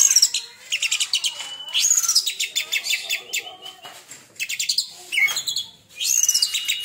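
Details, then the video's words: Oriental magpie-robin, a bird molted once, singing a sharp tembakan burst: high bright whistles sliding down, mixed with rapid buzzy trills and chattering phrases in quick varied bursts. "Tembakan Kacer Super Pedas Baru 1 Kali Ganti Jubah"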